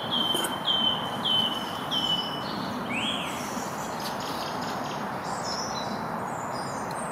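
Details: A song thrush singing on a spring morning near a road repeats a short, clear whistled phrase four times in quick succession, followed by thinner high notes, over a steady roar of road traffic.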